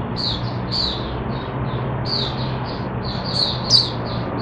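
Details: Oriental white-eye kept in a cage, given mixed drinking water, in open song: rapid high chirping notes strung together continuously, slurred downward, with a constant low hum behind.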